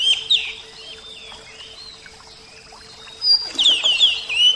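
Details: Oriental magpie-robin, Javan kacer type, singing: a burst of loud slurred whistles at the start, a long quiet gap with faint notes, then a strong run of rapid rising whistled phrases near the end.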